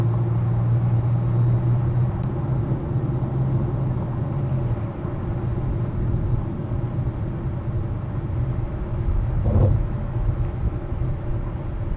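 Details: A steady low rumble of vehicle or engine noise, with a brief broadband burst near the end and no animal voice.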